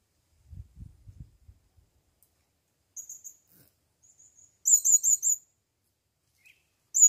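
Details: Blue-crowned hanging parrot calling for a female, taken into the forest for the first time and calling at once; a few short, very high, thin chirps come singly and in a quick burst of four, after soft low knocks at the start.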